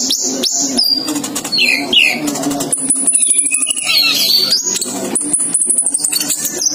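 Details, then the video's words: Ninja sunbird male and female placed together, singing energetically: thin very high sustained trills and quick chirps, mixed with scattered twittering notes and a background hum. "disaat kolibri ninja dicampur jantan dan betina jadi gila gacor nya"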